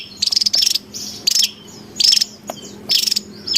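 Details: Javan tesia calling noisily in the wild, recorded as a lure and training sound: short, very high buzzy bursts of rapid pulses, each with a thin whistled note, repeated roughly every three-quarters of a second over faint low hum.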